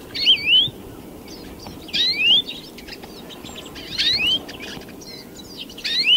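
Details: European greenfinch (Chloris chloris): rising, whistled upslurs in short bursts about every two seconds, with other birds chirping in the background.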